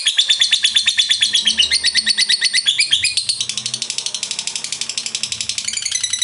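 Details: Lovebird delivering the long ngekek panjang chatter, offered as a lure so other lovebirds sing more. Quick, shrill, rhythmic pulses run for over six seconds with a change of note pattern midway, over a faint low hum.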